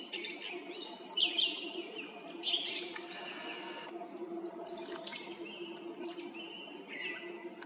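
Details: Song thrush singing from a treetop beside the road to Krasnye Ozera in Zarechny, evening of 18 April 2021 at 18:50: varied, fast whistled and twittering phrases high in pitch, some buzzy bursts, over a low steady background hum.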